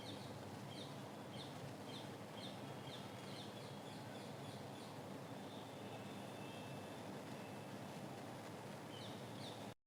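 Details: A purple-rumped sunbird among flowers gives thin, high chirps in quick series, several a second, over a steady rumble of traffic.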